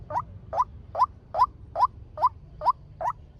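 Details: Fast trapping lure call of a male white-breasted waterhen: nine evenly spaced, short rising notes at about two and a half per second, each a clipped hollow upslurred 'kook', over a low background hum.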